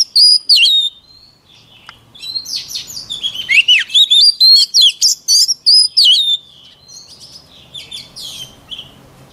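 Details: Loud, varied song of a white-rumped shama for voice training: rich fluty whistles and quick chirps in a rapid sequence of about three and a half phrases per second, trailing off into faint notes.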